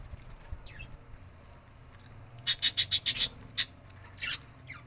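A rose-ringed parakeet gives a rapid run of about six harsh, raspy screeches, then a single shorter squawk, over quiet background hiss.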